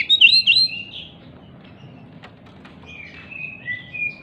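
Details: Oriental magpie-robin singing while agitated and jumping, a lure for magpie-robins gone quiet. Two loud, sharp, chattering whistles open, followed by a quiet stretch with faint clicks, then soft, drawn-out whistled notes return.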